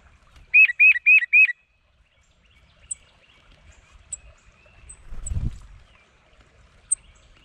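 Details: Territorial red-bellied woodpecker giving four loud, quick, arched notes in a tight burst near the start, then near silence with a few faint high ticks and a low rumble.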